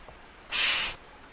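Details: Eurasian magpie giving a single rasping, broadband call of about half a second that stands out against a quiet background.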